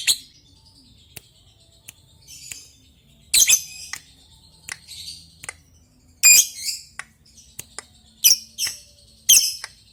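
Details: Lovebird calling an opponent, here as scattered harsh high squawks and short ticking clicks separated by quiet gaps, with several louder squawk bursts toward the end.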